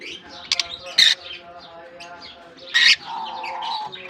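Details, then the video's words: Lovebirds exploring a colony aviary in Germany after their summer release give rapid high chirps and harsh, squawky bursts, with two loud broadband calls and a low steady tone beneath. "Japan lovebirds release in colony season off come to summer 🌞 off season bird good chirping sound"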